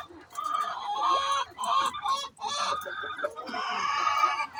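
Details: Domestic chicken calling before laying eggs: loud, harsh, drawn-out squawks with bright harmonic bands, given in several bursts separated by short pauses.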